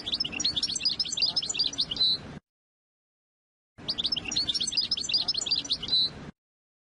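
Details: Two matching phrases of European goldfinch song, each about two seconds of fast, tinkling twitters closing on a buzzy note, separated by a short silence; recorded to teach young birds their song.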